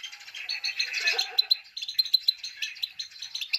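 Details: Himalayan goldfinch female giving her male-exciting 'pit pit tak' call: rapid, rattling high chirps in a dense chatter, with crisp separate ticks toward the end.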